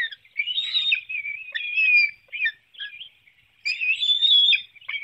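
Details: Whistled, slightly descending squeals and short chips from bald eagles at a Hanover, Pennsylvania nest, 9 June 2019, 7:04 a.m., as an adult feeds fish to one young while another flaps about; two louder bursts framing quieter notes.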